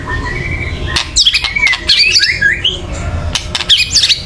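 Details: Loud agitated chattering of a white-rumped shama, used to rouse other birds into singing: sharp broadband clicks mixed with short whistled, wavering notes, with a low background rumble.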